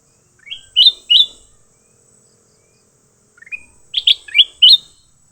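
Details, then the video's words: Leafbirds in a fight: a pair of loud, upslurred chirps, a short gap, then a rapid stutter of soft notes leading into a louder volley of five bright, clipped whistles. "Tarungan Burung hijau"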